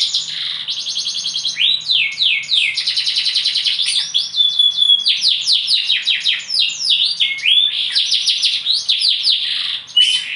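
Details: Extended bottle-green canary song: alternating rattling trills and sequences of swooping high notes, with brief whistles, sustained for about ten seconds.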